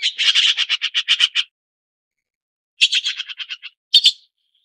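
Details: Red-billed blue magpie giving a fast harsh chatter of about a dozen rasping notes, then after a pause a shorter descending rattle and one final squawk.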